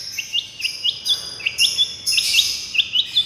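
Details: Long-tailed shrike miyik therapy song: short, thin upswept chirps repeated steadily every few tenths of a second, with a brief buzzy burst in the middle.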